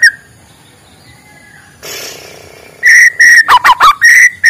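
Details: A white-rumped shama's morning song, used as a lure for shamas reluctant to sing: after a brief hiss, a string of level whistled notes mixed with quick twisting slurs.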